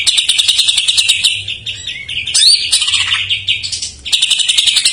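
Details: Greater green leafbird song filled with jamtrok phrases, played to coax untrained or silent birds; high buzzy chattering interrupted by an upward-sweeping whistle and softer warbles before the rapid pulsed trill restarts.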